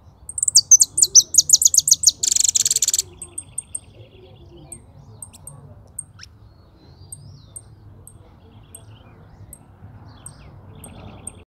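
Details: Singing European goldfinch delivers a rapid, tinkling series of high twittering notes, then a harsh buzzy burst, and afterwards scattered faint chips and soft thin whistles against quiet background.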